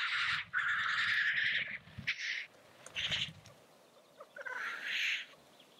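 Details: Lekking black grouse: a long coarse hiss, then several shorter hissing bursts spaced about a second apart, with soft low thumping in the background.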